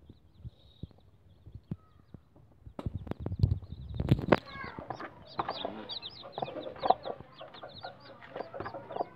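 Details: One-day-old Bangkok chicken chicks peep rapidly, with many high, thin, downward-slurred cheeps overlapping.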